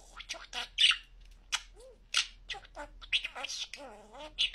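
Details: Pet budgie talking very clearly: quick, high-pitched, speech-like syllables, some with wavering tonal vowels, delivered in a lively chattering stream.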